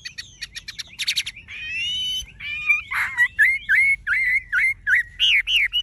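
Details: Tame caged Chinese hwamei with golden-yellow legs, bill and plumage, singing nonstop: quick sharp chips, a run of rich harmonic whistles, then a long series of loud slurred, warbling notes repeated rapidly with short gaps; faint low background hum.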